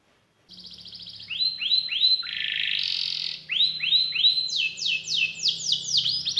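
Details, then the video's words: Canary in full song with rich phrasing: a short trill, rising curved whistles, a buzzy passage, then a run of repeated downward-sweeping notes, with a faint low hum in the background. "KENARI GACOR CENGKOK ISTIMEWA,ISIAN MEWAH"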